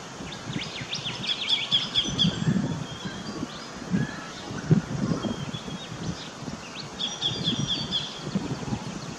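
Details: Sacred kingfisher in an Australian backyard gives quick high clipped notes in short bursts near the start and end. Rustling and low thumping noises fill the background.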